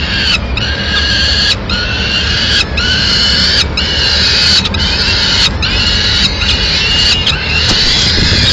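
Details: Peregrine falcon at a nest in Madrid on 29 April 2016, as the mother brings food to the chicks; loud, harsh, harmonic wailing calls repeated roughly every second, with short gaps between them.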